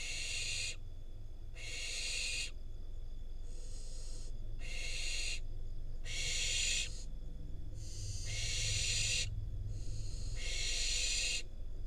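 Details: Barn owl fledgling, wild, in Israel, getting a rodent from its parents and eating it; a long run of harsh breathy screeches, each roughly a second, coming steadily with short gaps, constant low rumble behind.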